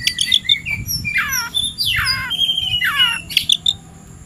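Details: Oriental magpie-robin singing in the afternoon, primed to fight a rival: a few high chirps, then three loud harsh notes sweeping downward, each about a second apart, ending in short sharp chips.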